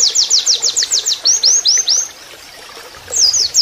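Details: Oriental white-eye in canary-like shooting song used as a training master: quick series of high, downslurred whistled notes, about a dozen in a row, then brighter upslurred phrases and a short pause before another burst.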